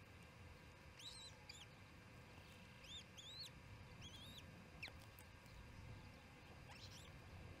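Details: Osprey calling during the second evening feeding at the Charlo nest, June 18, 2018, 7pm: repeated bright, piping chirps arching up and down, grouped in pairs and triplets, with a few sharp clicks and constant low rumble.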